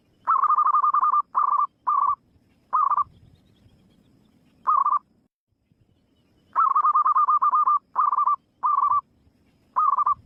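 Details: Wild zebra dove giving its staccato rolling coo song, several trilled phrases of varying length repeated with pauses of up to two seconds. A long gap falls midway, and faint low rustling sounds behind.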